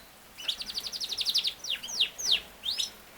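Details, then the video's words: Yorkshire canary, also known as king size canary, singing a short rapid trill of high notes followed by a few sharp downward-sweeping chirps, fairly quiet with background hiss. "BEST CANARY SINGING | your Canary will sing within 5 minutes | Canary ki aawaz"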